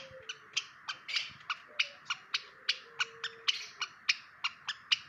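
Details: Long-tailed shrike, a kept bird, giving a rapid series of sharp, clicking notes about four per second, each a short bright burst, with a faint low whistled tone running beneath.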